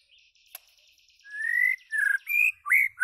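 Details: White-rumped shama (Copsychus malabaricus) sings a run of loud, clear whistled phrases, some rising and some slurred downward, with a softer buzzy chatter and a sharp click before.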